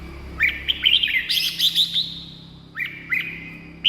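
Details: Red-whiskered bulbul song to excite caged birds or attract wild ones: rapid chirpy whistles rising into a bright, echoing trill, a pause, then more clipped whistled notes, with low hum and soft background noise.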